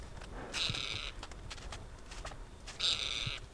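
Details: Tibetan partridge in a mid-winter Ladakh freeze in the high Himalaya: two harsh, buzzy, harmonic-rich calls, each about half a second long, roughly two seconds apart, over faint low background rumble.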